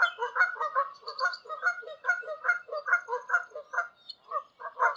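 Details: Steady, fast honking from wild Canada geese passing high in flight over open land in Canada, calls overlapping in a continuous chorus for five seconds.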